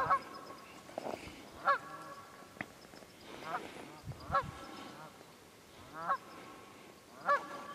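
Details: Wild geese in the Quehanna Wild Area, Pennsylvania, on 27 February 2018, giving loud nasal honks at irregular intervals, some single and some in quick pairs, over a quiet, faintly hissing background.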